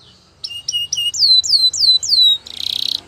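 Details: Belgian canary song with a run of sharp downward-sweeping whistles, about seven in quick succession, closing with a rapid buzzy trill.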